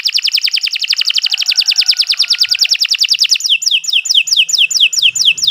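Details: Canary, kenari, in uninterrupted training song: a long rapid trill of evenly repeated notes shifting into quick downward-slurred whistles, with a faint low hum near the end.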